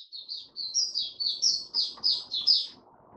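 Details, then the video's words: White-eye singing, a run of high, quick twittering notes repeated in a steady chain, each phrase sliding slightly, with faint low background murmur. "Mata Puteh Raja Stablizing his form buka sing"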